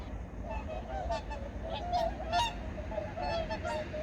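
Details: Migratory birds calling in the early morning at Junam Reservoir, Changwon, recorded in 2019; many overlapping nasal, honking calls at a steady pace, a few sharper shrill notes above, all over a constant low rumble.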